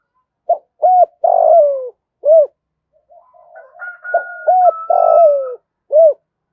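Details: Spotted dove singing the 'giọng thổ' gù thúc coo, meant to draw wild doves close: short hollow notes, then a longer coo sliding downward, the pattern given twice, with a thin steady high whistle faintly heard midway.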